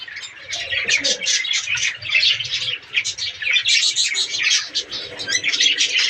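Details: A budgerigar colony in an aviary, possibly in breeding season, chatters nonstop: a dense mix of high, scratchy warbles and quick chirps overlapping throughout, with a faint low cooing underneath.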